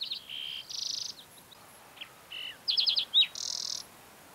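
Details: On the Mesa Verde Plateau in Colorado one June morning, a green-tailed towhee gives a lively mix of clear whistled notes and dense buzzy trills, switching between pitches, two bursts of song within four seconds.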